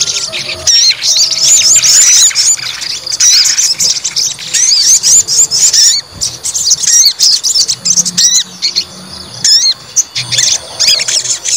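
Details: White-rumped shama being provoked to show its fighting mentality, singing quick looping high whistles and sharp chirps in dense phrases, later thinning to separated upward-slurred notes.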